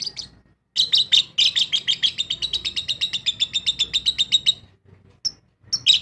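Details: Lovebird from an aviary colony producing a long, fast train of shrill pulsed chirps lasting about four seconds, followed by a few separate sharp high calls.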